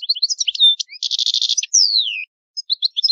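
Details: Old-style song of an Italian goldfinch: liquid twittering, a fast buzzy trill, then a long clear whistle sliding downward, a short pause and more light chirps, with a clean background.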